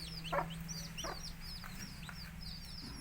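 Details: Native country chicken chicks peeping in shrill, high, downslurred notes, many overlapping. A mother hen calls them to eat with a few short, low clucks. A steady low hum runs underneath.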